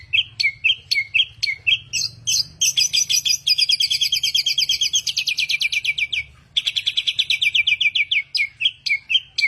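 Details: A bird credited with mimicking a thousand and one sounds delivers loud high chirps, then fast rattling trills broken by a brief pause before another trill, ending with more sharp chirps. A faint low hum is in the background.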